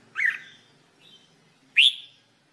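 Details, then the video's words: Two bright, rising whistled notes from a red-whiskered bulbul in song training, separated by a faint soft note and a pause of about one and a half seconds. "Red Whikered Bulbul Jambul bulbul SINGING training"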